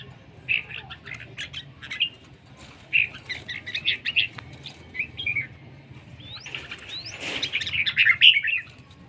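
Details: Red-whiskered bulbul from Laos singing: bursts of bright, quick chirpy phrases, short warbled notes in clusters with pauses, busier toward the end with a sharp rising note. Faint low hum underneath.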